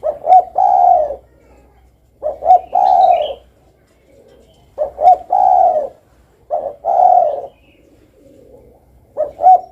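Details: Spotted dove, or derkuku, cooing in a steady series: five phrases roughly every two seconds, each two or three short notes running into a longer low mellow coo, with a faint chirp from another bird.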